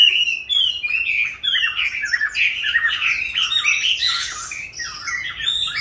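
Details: Captive Chinese hwamei, raised from a youngster into its fifth year, delivers a choppy, varied song mixing clear whistled notes with harsher squawky bursts in quick succession, with a faint background hiss.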